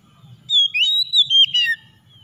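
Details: White-rumped shama singing, meant to spur a stressed bird that has stopped singing; a quick run of bright whistles rising and dipping, ending in a falling note, about a second long.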